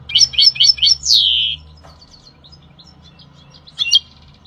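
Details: European goldfinch from Algeria singing: four quick rising chirps, then a drawn-out descending whistle, a pause with faint twitters, and a short burst of chirps near the end over a low steady hum.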